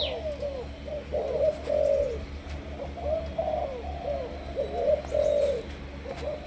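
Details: Spotted dove, Malaysian stock, a decoy bird in training, delivering two cooing phrases of short notes ending in a long, level coo, against constant low humming noise.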